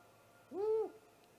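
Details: Great horned owl during a night attack on a nesting great gray owl, 30 March 2018 around midnight, live nest cam: one smooth, level-topped hoot with rich overtones, ending in a faint tail.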